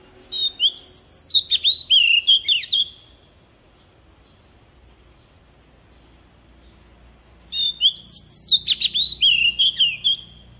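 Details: Oriental magpie-robin decoy bird singing in wild forest style, used to train young birds' voices: two bursts of rich whistled, warbling phrases with sliding notes, separated by about four seconds of near silence.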